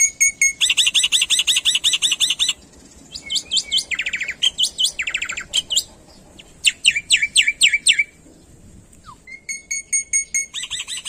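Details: Black-winged myna from Indonesia, vigorous song packed with mimicked phrases, as used to train birds: fast bursts of high stacked chirps, then rapid buzzy trills and sharp downslurred notes, pausing briefly before chirping resumes.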